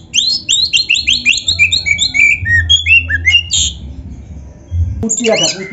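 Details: Oriental magpie-robin (kacer) from a training recording: a run of repeated sweeping chirps that step downward, a short harsh burst, a pause, then a scratchy phrase with a low hum behind.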